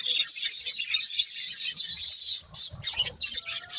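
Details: Pet budgerigar pair chattering: a steady stream of high, thin twittering and squeaky warbles, breaking into choppier chirps near the end, with faint low background rustling.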